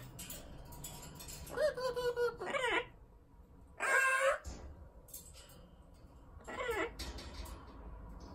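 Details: Amazon parrot indoors making several nasal, honking calls with a clear layered tone, some rising then falling and one doubled, spaced over several seconds, with light clicks and quiet room noise in the background.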